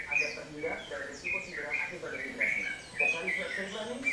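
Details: Yellow-vented bulbul, locally called trucukan or trotokan, singing actively: short bubbly warbled phrases with bright whistled notes, repeated roughly every half second to second, over a noisy background with low murmuring voices.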